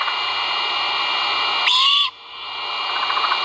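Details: Great horned owl chick at the nest during feeding, from a live nest camera, dated 1.04.2022: one brief harsh, wheezy screech under half a second long, set against constant broadband hiss.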